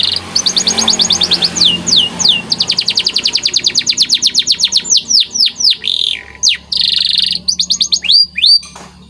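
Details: Training (masteran) song of a white canary: rapid rolling trills of short repeated notes throughout, broken by sharp downward-swept whistles and a brief sustained whistled tone, over a faint low background hum.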